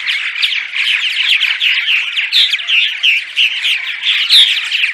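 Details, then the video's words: Daytime chatter of purple martins, meant to lure migrants to nest houses: busy overlapping gurgled chirps with clear rising and falling whistled squeals repeated every half second or so, and one low thump near the end. "Attract Purple Martins (10 hours of Daytime Chatter)!"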